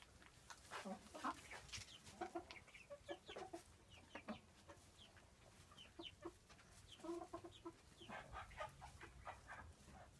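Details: Frizzled porcelain red-blue Pekin bantam pair, aged five and a half months, kept by a breeder; bursts of brief clucking notes come in loose clusters across the recording over low steady noise.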